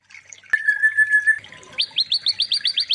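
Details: White-rumped shama training song for other shamas: a long, steady, pure whistle held for nearly a second, then a quick series of sharp upward-flicking notes repeated about four times a second.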